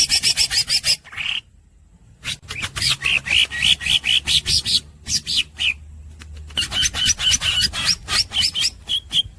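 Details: Green-gray cucak singing continuously in a fast, rapid-fire style: dense runs of sharp, high chattering notes in long bursts, broken by brief pauses, with a low hum beneath.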